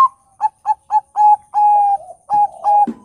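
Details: Loud-voiced Bangkok zebra dove song meant to stir other doves into singing: a string of short bouncing coos, then long steady hollow notes, the phrase starting again near the end.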